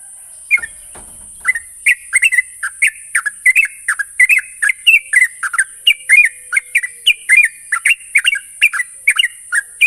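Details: Sooty-headed bulbul singing, used as a lure so an untrained bird soon sings steadily. Chattering, liquid whistled notes pour out almost nonstop after a brief rustle at the start. A faint continuous hiss runs underneath.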